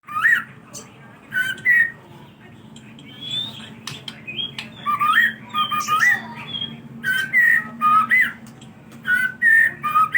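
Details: White-rumped shama song used as a lure to get other birds singing: bursts of clear, rising and falling whistles and short warbled phrases, separated by brief pauses.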